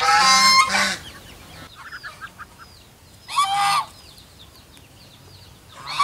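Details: A goose, very loud up close, gives harsh honks: a double blast at the start, another burst midway and a last one at the end, with softer chattering calls between.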